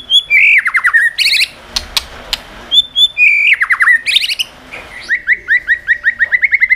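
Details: Tail-flicking song of a caged white-rumped shama, meant to stimulate other shamas: cascading descending whistled notes, clicks and buzzy bursts, ending in a fast even series of short repeated whistles.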